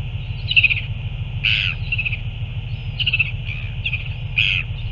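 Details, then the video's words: Northern royal albatross recorded 9 February 2024 at a feeding: a run of short, squeaky, high calls, some harsh and burst-like, others thin and slurred, about five in five seconds, over a steady deep wind roar. "Northern royal albatross"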